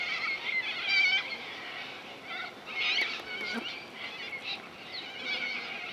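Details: Corellas calling at Minkies Lagoon, Coopers Creek, near Innamincka in South Australia; many hoarse, grating screeches blend together, with a few sharper squawks standing out early and midway.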